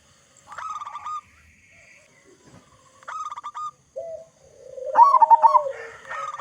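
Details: Local zebra dove song used as a lure to set other doves singing. Short phrases of clipped cooing notes are joined by a lower, drawn-out coo, then a loud, rapid stuttering burst.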